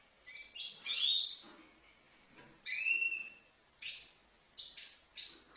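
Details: Five-month-old goldfinch from Livno giving separated phrases: a loud burst of bright twittering, then clear whistled notes and short chirpy fragments, with quiet gaps between them.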